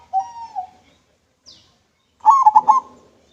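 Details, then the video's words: Local zebra dove (perkutut) singing clearly, recorded as a lure: a drawn-out, slightly falling note, then a quick burst of three or four throbbing, rolling coos. "PERKUTUT LOKAL MANGGUNG SUARA JERNIH COCOK BUAT PANCINGAN"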